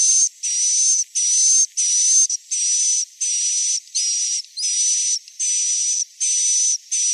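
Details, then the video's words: Lure recording of swiftlets, played so that young birds feel at home and roost in the bird house: a regular series of rasping, hiss-like buzzes, each under a second, with a steady high whistled tone laid over them. "SUARA INAP TOP WALET"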